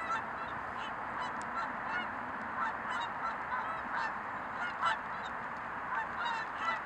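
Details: Whooper swans at West Haughhead, Blantyre, giving a steady chorus of overlapping honking, trumpet-like calls, many birds calling at once with no pause.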